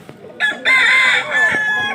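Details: Desi rooster crowing at a village market, one loud drawn-out crow of about a second and a half, rich and harsh with a slight dip in the middle, preceded by a short burst and faint background murmur.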